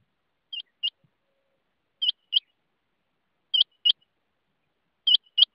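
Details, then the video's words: Rain quail calling: sharp, metallic double notes, each pair quickly repeated and given about every one and a half seconds, four pairs in a row against a silent background. "rain quail voice"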